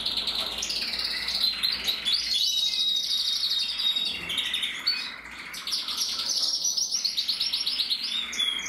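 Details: Captive-bred red mosaic isabel canary, a red-masked male, 2024: loud sustained song of high rolling trills and fine rattles, interspersed with pure whistled notes, continuing without pause.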